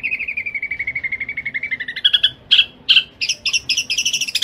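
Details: Long-tailed shrike singing sparrow-linked kuntilanak phrases, fast and tight, a master recording for training caged birds: a gently falling pulsed trill, three loud explosive chips, then a quickening chatter.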